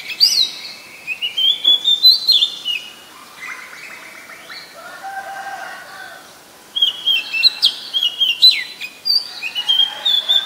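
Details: Oriental magpie-robin, very common resident, Ubon Ratchathani, Thailand, 7 January 2021: bursts of high whistled phrases, then a quieter pause with lower background calls, then a fresh run of sharp whistles.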